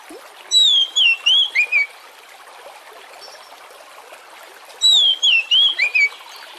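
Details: Oriental magpie-robin lure song, used to get other birds singing: a wavering whistled phrase of five notes, dipping and climbing, heard twice about four seconds apart over soft background hiss.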